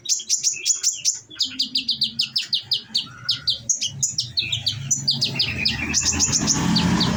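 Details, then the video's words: Caged olive-backed sunbird delivering rapid 'shooting' song: a long run of sharp, high, downslurred chirps, about three per second, ending in a dense twittering burst with low background rumble. "bunyi nembak nembak"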